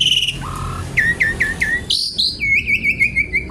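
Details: Javan pied starling singing loudly with varied fill-in material, searching for a rival: a flat whistle, four rising-then-falling whistled notes, a bright high squeal, then a rapid warbling trill of repeated wavering notes.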